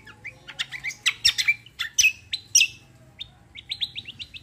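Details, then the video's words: Cucak kombo kecial kombo roll: a dense, fast jumble of sharp high chirps and whistles that thins out, then ends in a quick repeated trill of short notes. "CUCAK KOMBO KECIAL KOMBO ROLL TEMBAK GACOR COR"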